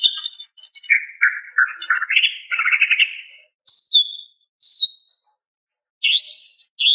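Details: Calls of a female greater green leafbird luring a male: a varied tumbling chatter of lower warbled notes, then separate high whistled notes and rising upslurred calls with short gaps, in a quiet setting.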